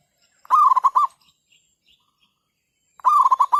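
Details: Decoy zebra dove calling to lure wild doves into a trap, overcast weather after a night of rain, nesting time: two loud, rich, rapidly stuttered coo phrases about two and a half seconds apart, near silence between them.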